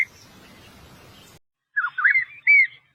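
A Paddyfield pipit gives a quick burst of three or four thin, rising chirped notes after a soft hiss of background noise.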